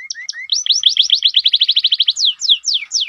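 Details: Canary song opening with low short rising notes, then a fast even run of repeated clipped notes, followed by several loud descending sweeps.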